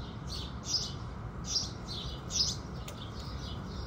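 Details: At sunrise, house sparrows give three spaced, slightly softer chirps against a noticeable low rumbling background.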